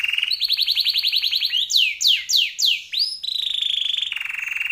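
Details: Canary in full, ornate song: a fast rolling trill, three or four loud downward-sweeping whistles about a third of a second apart, then a flat, rapid buzzing trill held steadily to the end.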